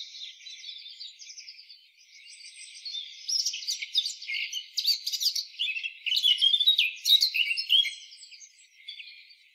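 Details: A wild Eurasian blackcap sings a long, hurried warble: soft scratchy notes at first, then louder mixed chatter and brief whistles in dense bursts.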